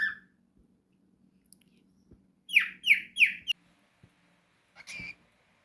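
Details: Pet cockatiel giving a descending whistle, then three quick downward-sweeping chirps in a row, followed by a short harsher note; faint low hum underneath.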